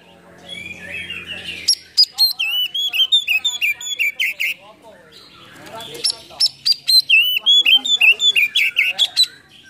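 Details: Kacer, the Oriental magpie-robin, in a full fill-in lure song meant to excite mute birds. Dense bursts of sharp whistles and chattering notes alternate with softer twittering, with a faint low hum at the start.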